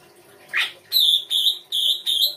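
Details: Songbird giving a short isian rai gosong kancer phrase: one soft rising swoop followed by four long, bright, level whistles at roughly even intervals.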